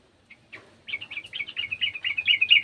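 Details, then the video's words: [1, "Sooty-headed bulbul, a garden bird joining in with another bulbul's sound: after a few soft starting notes, a fast run of bubbly, chirping notes at a steady pace, growing louder toward the end."] "TRUCUKAN KEBON ikutan bunyi burung trucukan bahan"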